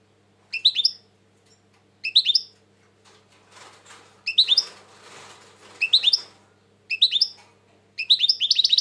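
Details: European goldfinch, reported as highly strung these days, uttering crisp twittering phrases about once a second. Brief rustling or fluttering sounds fill the middle, and a faster run of tinkling notes closes the clip.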